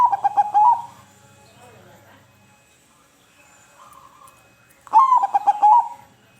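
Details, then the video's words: Zebra dove cooing, for making silent perkutut sing: a phrase ending at the start, a quiet gap with soft distant cooing, then a fresh phrase of rising note and rapid stuttered coos. "Perangsang Bunyi Burung perkutut Yang Bisu Jadi Bunyi"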